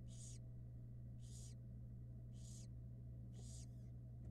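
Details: Female barn owl on a Florida nest cam, brooding six babies and taking a short break; loud, rasping hiss-screeches of about a third of a second, repeated four times roughly every second, over a constant low hum.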